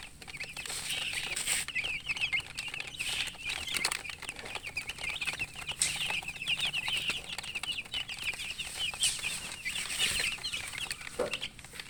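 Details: A brood of chicken chicks produces a dense, unbroken chorus of high, quick chirps that holds steady throughout, with occasional clicks and knocks.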